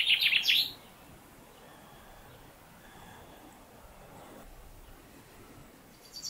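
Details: A male common chaffinch calls in a New Zealand summer in the Maungakotukutuku Valley: a quick burst of bright, high notes, then silence apart from faint background hiss, with one brief note at the very end.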